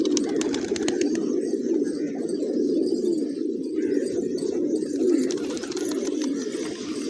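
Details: Pigeons feeding on grains in a peaceful village morning, constant low throaty cooing from many birds, with scattered clicks and faint high chirps.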